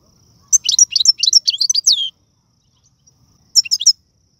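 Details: Algerian goldfinch delivering tiwawati, galoubi and serfati song used to tutor chicks: a dense run of high tinkling, slurred notes lasting over a second, ending on a lower drawn note, then a brief twittered reprise.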